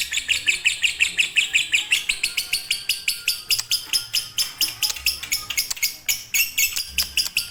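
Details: Master recording of a fighter or konslet lovebird for birds that will not sing: a high chattering trill that breaks midway into sharper, more spaced clicks and chirps.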